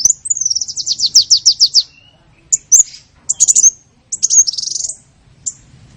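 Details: Small-bird lure recording used to attract birds: a rapid run of about a dozen descending high notes, then scattered sharp chirps and a short twittering burst.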